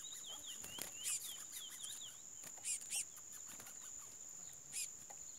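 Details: Captive chestnut-bellied seed finch giving a quick run of clear, down-slurred whistles, then pausing; a steady high whine and several sharp bursts of noise run alongside.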